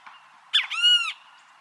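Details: Great kiskadee calling outdoors in nature: a sharp, rasping first note followed at once by a long, harsh, arched second note with strong overtones. A faint steady whistle runs underneath.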